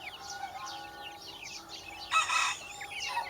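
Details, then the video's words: Baby chickens give soft high peeps and slurred chirps, broken by a short, loud, harsh burst toward the end. "Baby Chickens Chirping"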